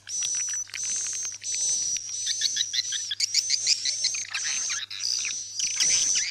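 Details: Roosting lure sound for farmed swiftlets: rapid, crackling, high-pitched chirrups run together into buzzy bursts. Some stretches break into quick clicking notes, with a faint steady hum below.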